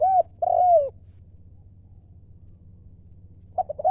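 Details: Wild-stock spotted dove used as a decoy, giving its 'lio'-style call: two mellow hooting coos, the second long and gently falling, then a short stuttered coo phrase beginning at the end, over a low steady hum.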